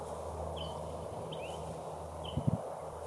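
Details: An extremely rare out-of-range Pine Flycatcher on Mount Lemmon near Tucson, Arizona, calls persistently with brief, sharp, slightly down-slurred high notes, roughly one a second, used to identify it, over a low rumble and soft thumps.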